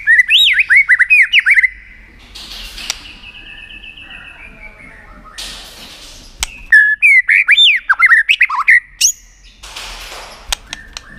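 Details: [5, 'White-rumped shama in full contest-style song with tail-flicking: rich tumbling cascades of looping whistles at start and end, with a buzzy, rasping middle section and scattered sharp clicks.']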